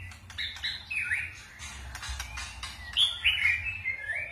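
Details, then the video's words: White-rumped shama singing in forest-style voice with lively phrase switching: clear whistled notes and sliding phrases, some rising and falling, separated by sharp clicks and short pauses; faint low hum underneath. "chòe lửa hót giọng rừng ,đảo giọng cực phê | murai batu"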